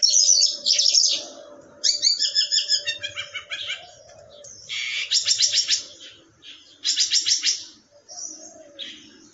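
A lark sings a rich, varied song of high chirps and rapid buzzy trills in quick bursts. A steady low hum sits underneath.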